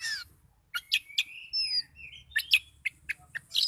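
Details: Oriental magpie-robin, highly agitated, sings a short burst of sharp chips, a long level whistle sliding down, and quick high clipped notes in rapid sequence.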